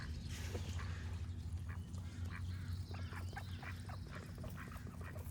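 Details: Scattered duck quacks, short and nasal, come in loose clusters over a low steady hum, with thin birdsong audible above.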